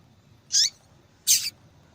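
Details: Female yellow-bellied seedeater calling repeatedly, a call used to stimulate singing in males and judged in female-call tournaments; two thin, high, sharp call notes, the second slightly longer, against a quiet background.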